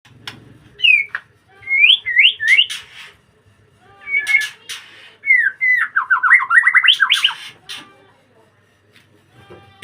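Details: White-rumped shama singing actively in a breeding cage: rich whistled phrases, with some notes rising and others falling steeply, given in bursts separated by short pauses. A few sharp clicks and scratchy notes are mixed in.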